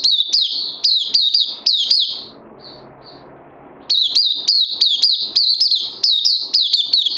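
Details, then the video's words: Oriental white-eye (puteh), kept bird, day two of combined supplements, 31 May 2020: rapid high chirping song, a pause of about one and a half seconds with two soft thin notes, then the fast chirped run resumes. "Puteh Crazy LG"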